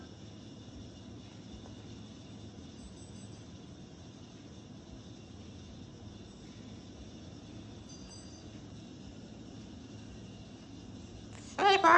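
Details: Steady low rumbling background noise with faint faraway tones, ending in a brief loud clatter, and no animal voice.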